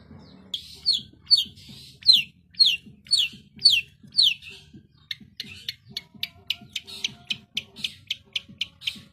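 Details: Long-tailed shrike (cendet) singing a run of descending whistled slurs, then switching to quicker, sharp clipped chips repeated about twice a second.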